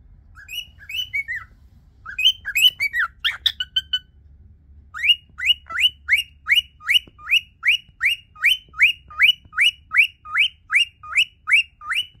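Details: A cockatiel sings happily in a training song: bright whistled phrases, then a fast run of rising, upslurred whistles.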